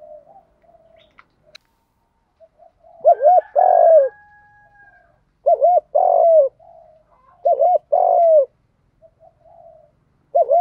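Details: Spotted dove cooing in the 'Đồng' voice, used to rouse young trained males to coo. Four phrases, spaced more tightly toward the end at about two seconds, each two curled short notes and a long falling coo. Light chirps are heard in the pauses.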